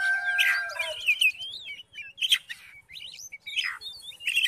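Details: Oriental magpie-robin song used to provoke a reluctant magpie-robin into singing: varied whistled phrases and sweeping slurred notes with harsh buzzy bursts, a long steady tone early on, and brief pauses between phrases.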